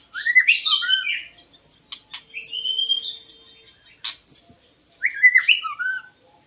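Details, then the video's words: A white-rumped shama (Copsychus malabaricus) sings as a lure for birds. It starts with rich falling whistles, then gives high slurred notes. A sharp click splits the phrases, and a steady faint high tone runs underneath. "ធ្នាក់ល្វាចេកភ្លើង | White-rumped Shama Hunter"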